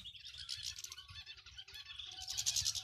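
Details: Goldfinches, male and female, calling to excite a male into singing: rapid bright high twittering, dense and unbroken, rising in intensity toward the end.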